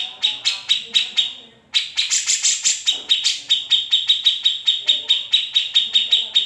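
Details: Grey-cheeked bulbul song used as training material for shamas and leafbirds: a few evenly spaced sharp chips, a short gap, then a dense rattling trill of clipped metallic notes running on steadily.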